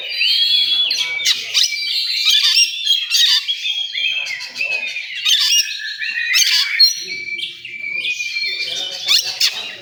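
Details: Song of an oriental magpie-robin in a contest area: continuous rich warbling mixing clear whistles, harsh scratchy notes and sharp metallic clicks, with a few long steady whistled tones near the end.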